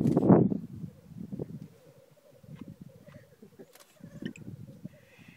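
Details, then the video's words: Early morning black grouse lek in Glen Bruar on Atholl Estates: a loud rough burst opens, followed by a steady low rolling, bubbling chorus with faint short higher calls over it. "Black Grouse Lek"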